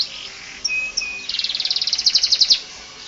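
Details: Canary song used for tutoring other birds: a few isolated high whistles, then an accelerating run of bright chirps that grows louder toward the end.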